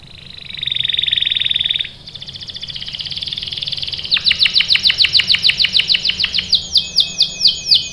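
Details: Lively canary singing a lure song meant to make other canaries answer and roll: a dense buzzy roll, a softer trill, then a fast series of short, sharp sweeping notes slowing toward the end.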